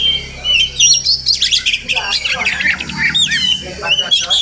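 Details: Oriental magpie-robin in a village garden each morning, delivering bursts of bright whistles and harsh squawky notes, some sliding upward, in choppy rhythmic pulses.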